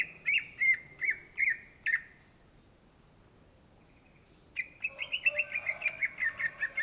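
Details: Gacor song of a greater green leafbird (cucak ijo): a few loud, chopped whistled notes, a two-second silence, then a rapid chattering string of short whistles with softer lower warbling underneath.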